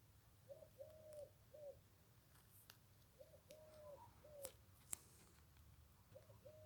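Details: Eurasian collared dove heard farther off in the background on a countryside walk in the Weppes, Hauts-de-France farmland, cooing low, hollow short-long-short phrases every few seconds, with faint clicks and background hum.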